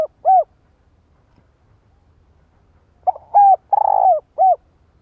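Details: ['Spotted dove female calling to excite a male: an isolated short coo, then after a pause a full phrase of stuttered lead-in, clear coo, long rolling coo and final coo.']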